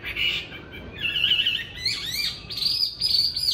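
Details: Tame caged Chinese hwamei, a good fighting bird, in Hanoi, Vietnam: loud varied whistled phrases, some sliding up and down, with a steady low background hum.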